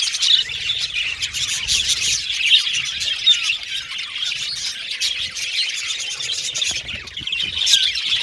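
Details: Budgie aviary colony chirping: overlapping high twitters and short squawks from many birds, a few distinct whistled notes rising above the busy background chatter.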